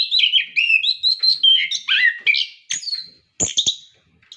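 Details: Orange-headed thrush singing energetically, a recording meant to coax captive birds into song: fast run of sweet whistled notes sliding up and down, then harsher scratchy notes and a brief pause.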